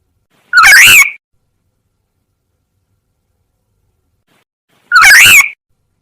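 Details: Two loud, raspy cat-like notes of a black-naped oriole lure call for attracting wild orioles, each bending up then down in pitch, about four seconds apart in silence.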